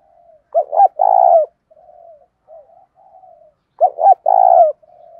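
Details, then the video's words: Decoy spotted dove cooing to provoke fighting: a rough, throaty two-part coo, a quick double note then a longer rolling one, given twice about three seconds apart, with soft low murmured coos in between. "Chim Cu Mồi_cu gáy thúc đấu"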